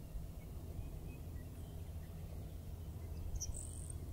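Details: Grasshopper sparrow in Yolo County, California, on 7 April 2024, singing its very high (about 8 kHz), grasshopper-like song: a couple of faint, very high ticks, then a thin insect-like buzz near the end, over a steady low rumble of wind.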